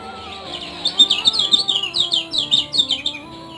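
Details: Lemon-bellied white-eye song from Lombok, Indonesia: a lively string of high chirps, each sliding downward, repeated about four per second over faint background tones.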